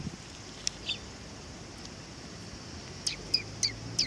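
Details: Sparrows coming to be fed at a Tenmangu shrine on 18 August 2020; after a quiet stretch with two early chirps, four short high chirps come in quick succession near the end over steady background hiss.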